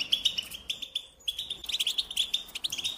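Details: Melodious American goldfinch song, a rapid string of bright, high twittered notes and short slurred whistles with a brief pause near the middle.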